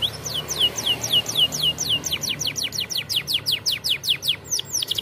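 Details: Canary song for training young canaries, champion style: steady series of downward-sweeping whistled notes that quicken into a dense rapid trill, with soft low background hum.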